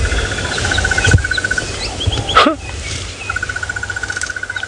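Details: A crested barbet hidden in a nearby tree at Djuma, Sabi Sand, South Africa, at sunrise on 26 December 2017 gives a long, even alarm-clock-like trill of rapid mid-pitched pulses, breaking off briefly, over low engine rumble.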